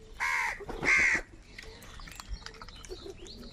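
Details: Two loud, harsh crow caws in quick succession from a large flock, followed by fainter calls and background chatter.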